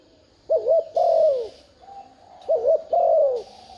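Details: Spotted dove coos to lure wild doves. Two deep phrases, each a short wavering note and a longer downward-sliding coo, a quiet flat note between them, and faint high hissing.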